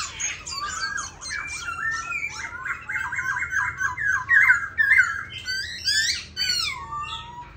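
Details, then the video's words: A tame, pink-legged caged black laughingthrush sings a rich, busy stream of varied whistles and chattering notes, rising and falling without pause. It sounds close and indoors. "Khướu mun"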